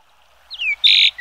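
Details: Yellow-billed grosbeak (Chinese grosbeak, Eophona migratoria) gives a quick, high, down-slurred whistle, then a harsh rasping quarter-second burst, another rough note starting at its end.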